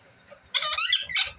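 A parrot gives two shrill, squeaky bursts of chattering, word-like sounds, high-pitched and just under a second long, in a quiet room.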